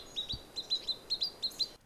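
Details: Pygmy Nuthatch (Sitta pygmaea), a bird of ponderosa pine forest like that near Sisters, Oregon, gives its incessant piping, high paired kit-kit notes, about ten in under two seconds, quick and insistent; a faint low thump near the start.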